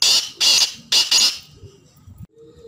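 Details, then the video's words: Black francolin giving a harsh grating phrase of four strident notes, the last two nearly joined, then trailing into quiet low background noise. "kala teetar ki chhk and awaz"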